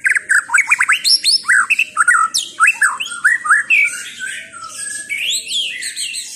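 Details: White-rumped shama delivering a quick run of loud rising whistled slurs repeated in steady succession, then softer, longer drawn-out whistles and high sweeping notes fading toward the close.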